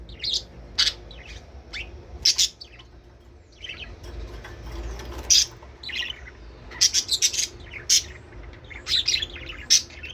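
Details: Budgerigar calls used to stimulate breeding: lively bursts of sharp high chirps and squeaks, a quieter stretch in the middle, then dense rapid chirping toward the end.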